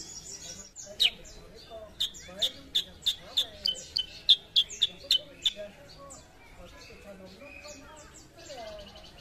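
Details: Sooty-headed bulbul, a raw bird being trained to sing often: a burst of about fifteen quick, sharp, high notes in the middle, with soft murmuring and low background sounds before and after.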